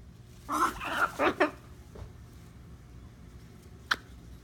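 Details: A male macaw makes strange dolphin-like noises: a quick run of squeaky, chattering notes, then one sharp high squeak.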